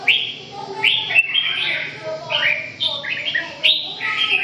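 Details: Short, rich whistled phrases from a red-whiskered bulbul, each a cheerful rising-and-falling motif repeated several times in quick succession.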